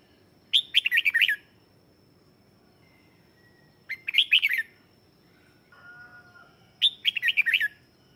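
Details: Lure red-whiskered bulbul song meant to draw in wild birds: three lively, rapid warbled phrases roughly three seconds apart, a faint thin tone running throughout and a soft lower call between the last two phrases.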